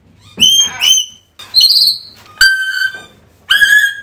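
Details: African grey parrot calling, meant to lure a lost parrot home: four loud whistled notes about once a second, some flat, some slurred, rich in overtones, alternating higher and lower pitches.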